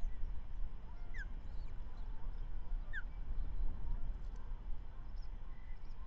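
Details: At the Manton Bay osprey nest, 13 May 2023, a female osprey feeds the first chick of the year with a trout delivered by the male; two short, falling chirps nearly two seconds apart, faint high twitters and constant wind noise.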